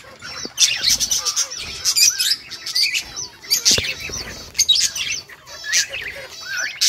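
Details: Peach-faced lovebirds in noisy, busy chatter: dense bursts of piercing high chirps and squawky notes, overlapping and irregular, with brief gaps between clusters.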